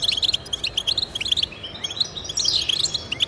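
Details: Pet-goldfinch motivation song of European goldfinch: quick series of bright, evenly spaced chirps for about a second and a half, then a louder buzzy, tumbling twitter.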